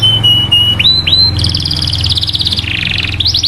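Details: Canary song played to excite other canaries into singing: long pure whistles stepping upward, then a rapid pulsed trill at two pitches, ending in falling chirps; low hum in the background.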